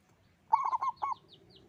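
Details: Local zebra dove, described as a loud, frequent singer, giving one brief rolling coo phrase of rapid stuttered notes, followed by soft high chirps from other birds.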